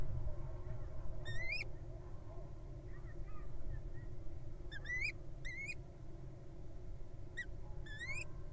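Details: Rising, thin squeaks from a wild little owl at an occupied nest box with nestlings, given singly and in pairs with uneven gaps, fairly soft over steady low-pitched background hum.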